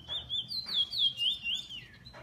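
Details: A kept bullfinch gives a clear, pure whistled phrase of smooth rising and falling waves, several linked loops gliding down at the close, over a faint low hum.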